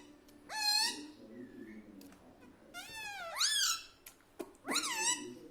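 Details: Pet parrot talking mummy papa, three harmonic word-like syllables that rise and fall, separated by a faint high whistle and a click, soft room hum beneath.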